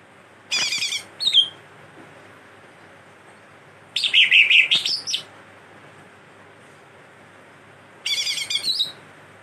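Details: Chattering greater green leafbird song laced with imitated cililin and kastem phrases, given as three brief bursts roughly every three to four seconds. Each burst is a dense mix of buzzy trills and clear high whistles, with quiet background between.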